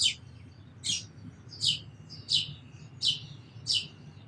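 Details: Sparrow chirps repeated about every two-thirds of a second, each a bright, buzzy downward note, steady and insistent, with a quiet low hum behind them.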